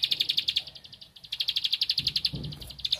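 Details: Bar-winged prinia (ciblek padi) singing while looking for a rival: a rapid, high, even string of sharp ticking notes, broken by a short pause near one second, then resuming with faint low background sounds.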